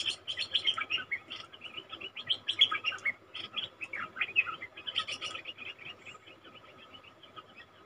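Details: Wild-caught cream-vented bulbul kept caged: a steady, dense chatter of fast bubbly notes in tight bursts, gradually growing softer toward the end.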